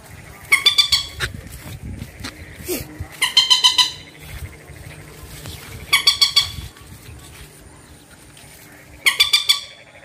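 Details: Bantiung, locally also mandar or peruk: four bursts of rapid, harsh, nasal notes, each burst under a second, spaced about three seconds apart, over a low steady background rumble.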